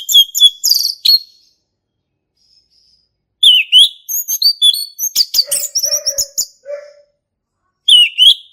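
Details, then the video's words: Wild male orange-headed thrush delivering ngeplong song: varied fast phrases of sharp whistles and chirps, a lower buzzy note mid-phrase, separated by brief pauses, with a final slurred whistle. "SUARA ASLI HUTAN ANIS MERAH JANTAN GACOR NGEPLONG"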